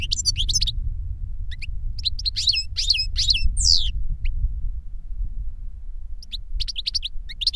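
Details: Goldfinch song from an older bird teaching a younger one: a burst of quick liquid twitters and downslurred notes for about four seconds, a pause, then more scattered chirps, with constant low background hum.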